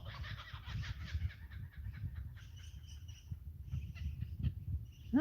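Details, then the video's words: Kookaburras in trees by homestead paddocks give harsh, chuckling bursts in the distance, strongest at the start and returning in shorter fragments, under heavy wind rumble and nearby voices. "That's a kookaburra you can hear."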